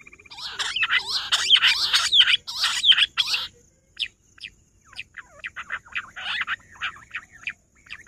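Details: Rock bush quail (Perdicula argoondah), recorded 18 July, give a dense, overlapping burst of shrill chirps and chattering for about three seconds, then scattered high whistled notes about once a second.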